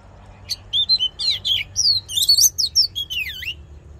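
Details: Oriental magpie-robin fighting song for training the voice and stirring male birds: a dense, fast string of shrill, varied whistled notes, some buzzy, ending in a dipping slur, over a low rumbling background.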